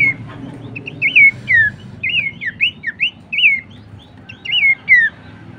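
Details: Training lure of Horsfield's babbler, locally pelanduk semak: repeated looping whistles that rise then fall sharply, spaced roughly half a second apart in short phrases, with a pause before the final notes.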